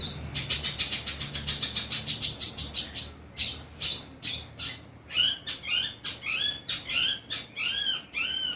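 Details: Long-tailed shrike, kept bird, singing: a quick series of rattling chirps, then distinct arched, whistled notes repeated roughly twice a second, some doubled, clear and sharp.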